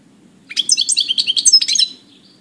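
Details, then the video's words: European goldfinch, April 2018, delivering a fast chattering series of bright, metallic notes ending in a short fading whistle, over a steady low background hum. "Goldfinch,Stiglic,Grdelin, Stieglitz, Chardonneret , El jilguero,bird"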